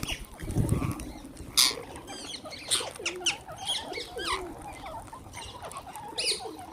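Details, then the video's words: Wild green parrots being fed: a busy mix of short, sharp chirps and rasping squawks from many birds, with a low thump near the start and occasional louder screeches. "Wild Green Parrots Making Beautiful Noises"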